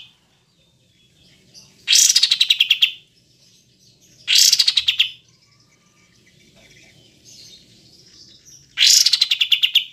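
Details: Kapas tembak, pied triller: three separate phrases, each a sharp high opening note dropping into a quick descending train of clipped pulses. Long quiet gaps lie between the phrases.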